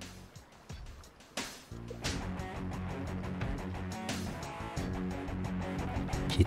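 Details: Plucked guitar music with low strummed chords and a few thumps, with no animal voice to be heard.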